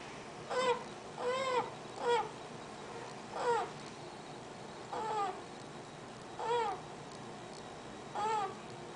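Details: Pet Eclectus parrot cooing: seven short, tonal, arching calls with rich harmonics, each about half a second long, spaced one to two seconds apart over a faint steady background hiss.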